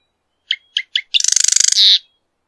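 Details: Marsh wren singing: three short ticking introductory notes, then a fast mechanical rattle that ends in a brief harsh buzz.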